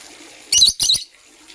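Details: A green or blue lovebird chirping in the morning gives two quick, loud, harsh, high-pitched chirps in close succession.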